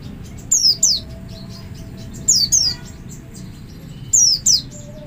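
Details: Oriental white-eye giving a double lure call to coax other white-eyes to join in. Paired thin, high, falling notes repeat about every one and a half seconds, with a faint low hum beneath.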